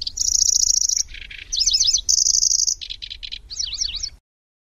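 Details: Lanceolated warbler in long nyecret chattering, likened to a grasshopper, with rolling and sharp notes: a high insect-like reel opens, followed by a low rattle, wavy trilled notes, a second reel, stuttered chips and twisting trills.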